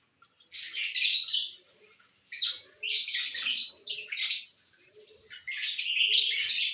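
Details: Lovebirds feeding on corn on the cob give loud bursts of shrill, buzzy high chirps about a second long, several in a row with short pauses between.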